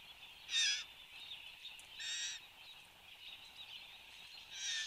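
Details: Satin bowerbird in display at the bower in Australia, early morning of 10 January 2015: three separate buzzy, grating bursts with long pauses between them, set against a continuous high droning background.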